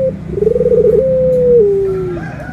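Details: Cooing of a Barbary dove from a comparison of white and brown birds: a loud rolling trill flowing into a long smooth coo that drops slightly in pitch at the end, then a faint high whistle.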